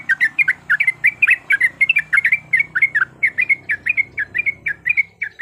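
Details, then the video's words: Lure recording of yellow-vented bulbul fighting song: lively, continuous chatter of short, warbled notes bouncing up and down, delivered rapidly over a soft low hum. "PANCINGAN BIKIN TRUCUKAN LANGSUNG BUNYI IKUT TARUNG GACOR"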